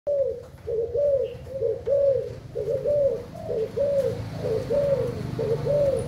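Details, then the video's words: Spotted dove of the Thailand type cooing: soft low hollow coos strung into repeated short phrases, about one per second, over a steady low background hum. "Cu gáy thailand"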